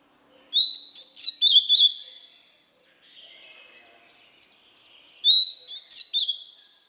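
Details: White-rumped shama song played for young birds to copy: two phrases of loud, sweeping whistled notes, each about one and a half seconds long, separated by a quiet stretch with faint murmuring.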